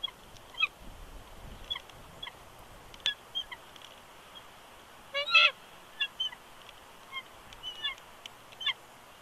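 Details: Bald eagle pair at a Big Bear Lake, California nest on a January 2020 live camera; the male whines and protests while being coaxed off the eggs. Scattered short high squeaks, with a loud burst of fast, piping chatter midway.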